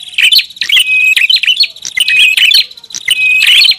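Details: Prinia lure call: bursts of bright, chirping twitters with short whistled notes, repeated in rapid phrases roughly every second, loud and dense throughout.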